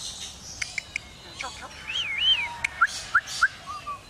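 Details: Lyrebird imitating construction noises: sharp clicks and short taps, a wavering whistled tone, then a run of brief bright chirps and a low slurred note, over steady background hiss.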